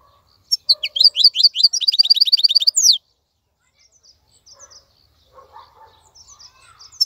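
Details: European goldfinch, a wild-caught caged bird, gives a burst of quick, rising chirps and a fast, even trill lasting about two seconds, followed by near silence with faint distant twitters.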